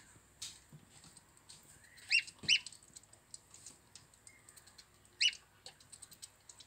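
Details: Plump little gosling, described as healthy, uttering brief high piping peeps: two close together, then one more after a pause of nearly three seconds, amid soft clicks and light handling noises.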